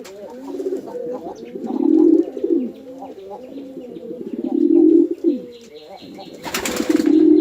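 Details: Low bubbling coos from male and female pigeons fighting at a pigeon farm in Chittagong District, Bangladesh, swelling in two strong phrases, with a brief loud clatter of wings near the end.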